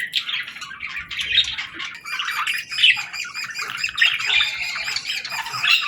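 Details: Group of budgerigars in the evening at feeding time with seeds and millet, chirping continuously in dense overlapping warbles and chatter, with harsh squawks among the busy flock noise.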